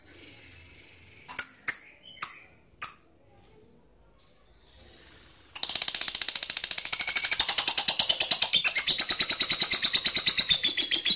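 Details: Lovebird calling a rival, a lure for long ngekek: four sharp, separate chirps with pauses, a quiet gap, then from midway a loud, fast chattering trill that grows stronger and continues to the end.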